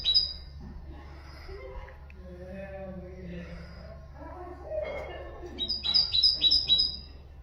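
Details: Common nightingale singing as a tutor for goldfinches and canaries; after a quieter murmuring stretch, a fast series of sharp, high, evenly repeated notes rings out, with a constant low hum underneath.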